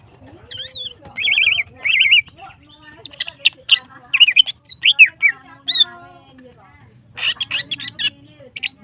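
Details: Song of a female greater green leafbird, kept to stimulate other birds: warbled trilled notes repeated in short bouts, followed by varied sharp whistles and chirps, a pause, then a final rich burst.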